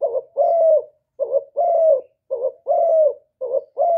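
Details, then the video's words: Close, loud cooing of a decoy spotted dove from Cà Mau, Vietnam, used for luring wild doves: four quick phrases, each a short wavering note and a longer level-then-falling coo, repeating roughly every second. "CU GÁY MỒI ĐẤT, CU ĐẤT GÁY, CU CƯỜM GÙ KÍCH BỔI, TIẾNG CHIM CU MỒI"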